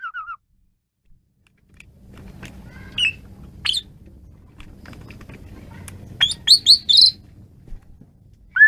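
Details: Asian pied starling singing hard over a low background rumble: scattered single chips, then a rapid cluster of bright whistled notes near the end.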